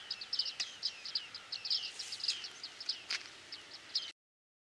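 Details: Early-autumn flock of Bearded tits at Newport Wetlands reserve: a rapid, overlapping series of high, metallic pinging notes, roughly several per second, from many birds at once, with a few sharp clicks amid quiet wetland background.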